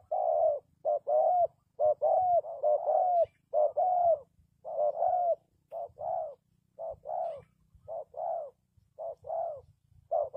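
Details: Spotted dove used as a decoy to lure wild doves for trapping, giving loud, close coos: a short clipped note followed by a longer, slightly falling drawn-out coo, repeated steadily about once a second in a quiet setting.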